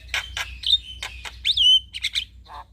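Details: Male Javan myna chattering song, used as a lure to draw responses from other mynas: harsh rasping bursts alternate with clear whistled notes, one rising then gliding down, ending in a low nasal note.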